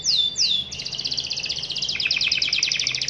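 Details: Young canary singing in the rolling 'ngerol' style: two loud downward-swooping whistles open the phrase, then a fast, dense, rattling trill of high notes that runs to the end.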